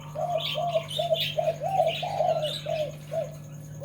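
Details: Zebra dove cooing in a quick series of short, slightly rising, bubbling notes, about eight in under four seconds, with higher thin chirps from other birds above and a steady low hum underneath.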